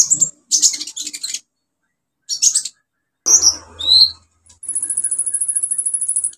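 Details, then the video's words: Olive-backed sunbird bursting out its 'isian' song as a lure for birds that have gone quiet: clustered buzzy high chirps, slurred squeaks, then a long, even, very high rattling trill. "KOLIBRI NINJA SUPER GACOR NEMBAK ISIAN BUAT TERAPI PANCINGAN KOLIBRI NINJA MACET BUNYI"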